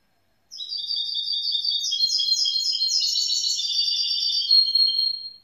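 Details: A young grey-blue goldfinch hybrid (mule) pours out a continuous rapid twitter of high, tinkling notes in close stacked rows, gently rising then settling lower.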